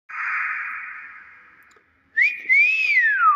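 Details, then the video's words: Hill myna calling: a long, steady, slightly buzzy whistled note that fades out, a short pause, then a bright whistle that rises, holds, and slides down at the end. "UNIK BEO SUARA ASLI"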